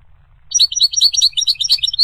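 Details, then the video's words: A goldfinch sings a fast, continuous run of high chirps and liquid twitters that jump between pitches without pause, over a low background rumble. "The Resonant Chirping of the Goldfinch Bird"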